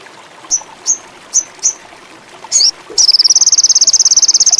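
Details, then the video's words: Sogon (indigo) bird in high mating urge: four short, sharp, high chips spaced evenly, a brief buzzy note, then a rapid, high-pitched, pulsing trill. "SOGON INDIGO ‼️AWAS BURUNG TAMBAH GACOR‼️MACET BIRAHI TINNGGI"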